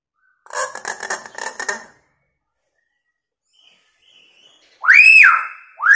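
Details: Vocal hill myna mimicking a siren and a woman's scream, used as a lure for quiet mynas: a burst of buzzy, rattling notes, a pause, then a loud arched whistle that swells and holds, with another beginning at the end.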